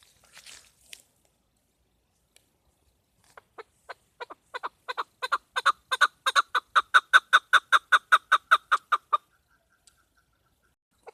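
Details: Chukar partridge hen giving a hunting call: after a short quiet spell, single clucks start sparse and soft, then speed up and grow loud into a rapid steady series of about twenty chuks before stopping abruptly.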